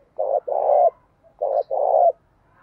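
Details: Dove sound from a decoy recording meant to provoke spotted doves into calling: two paired hoarse notes, a short one and a longer one, given twice with a brief pause, over faint low background noise.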